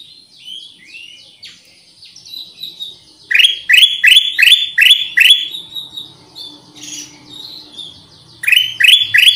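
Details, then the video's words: Black-crested Bulbul lure sound: softer varied twittering notes open, then a loud burst of rapid rising chirps, a pause with faint whistles, and a final short volley of the same sharp chirps. "SUARA PIKAT AMPUH KUTILANG EMAS"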